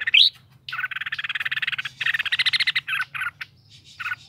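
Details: Caged red-whiskered bulbul opens with a bright rising whistle, then a long run of rapid buzzy pulses, followed by a few short chattering bursts.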